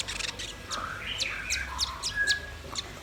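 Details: Red-billed nuthatch and white-rumped shama singing: mellow whistled notes that rise and fall, interspersed with short high sharp chirps, ending on a brief steady pure tone.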